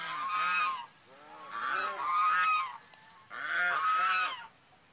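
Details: Swan repeating paired nasal honks, roughly three groups in five seconds, each note arched and rich in overtones.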